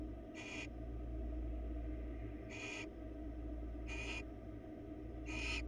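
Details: Barn owls on a live bird webcam in Florida, four short harsh hissing bursts spaced one to two seconds apart, over a steady low electrical hum.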